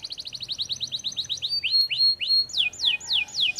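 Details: Canary in vigorous ('gacor') song: a fast tour of evenly spaced high chirps, then drawn-out rising whistles, then loud falling sweeps about three a second.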